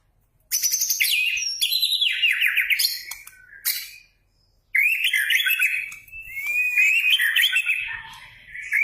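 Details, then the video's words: White-rumped shama lure song: energetic stream of rich whistles, harsh high rattles and warbled slurs in long phrases, broken by a short pause near the middle. "pancingan murai batu gacor"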